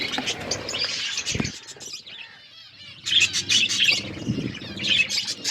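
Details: Budgerigars eating in a flock: chirping chatter with low rustling and knocking, fading to a quieter gap mid-way before bursts of sharp high chirps and squawks return.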